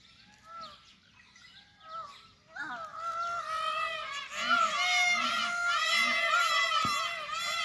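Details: Indian peafowl calling in the jungle after the rain: loud, ringing, arched nasal cries repeated in quick succession, overlapping as if from several birds, after a quieter start with faint distant calls.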